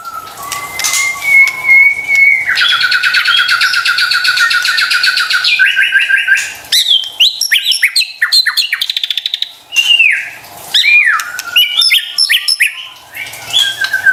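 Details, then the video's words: Lure song of a white-rumped shama to make silent birds reply: a long steady whistle, a sustained buzzy rattling trill for several seconds, then rapid varied whistles and clicks. "PANCINGAN murai batu STRES dan MALAS BUNYI seketika LANGSUNG nyaut dan GACOR dengar suara INI"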